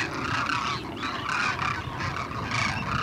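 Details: Demoiselle cranes, just back from wintering, flying over a pool near Bikaner give hoarse, rolling trumpeted flight calls in overlapping bursts about every half second to second, over a steady hiss.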